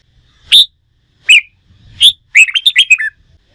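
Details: Three sharp rising notes about a second apart, then a fast jumbled run of rich whistles, from a red-whiskered bulbul trained for singing contests.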